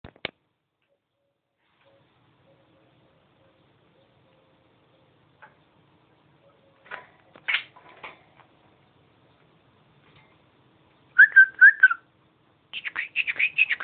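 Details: Budgerigar (Melopsittacus undulatus), talking.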